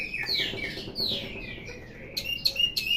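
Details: An orange-headed thrush, a ringed cage bird, gives falling whistled notes followed by a burst of sharp, clipped chips and short whistles, with a steady low hum behind.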